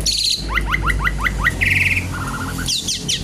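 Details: Javan pied starling in lively, busy song while seeking a rival: a quick run of about seven sharp upswept whistles, a rapid buzzy trill, then a lower chattering rattle and scratchy high notes, with a low background hum.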